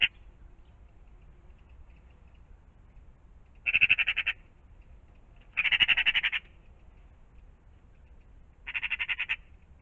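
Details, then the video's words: Magpies in and around a pond in the morning; a magpie gives three harsh, rattling chatters, each under a second long and spaced a few seconds apart, over a faint low background rumble. "Magpies in the morning"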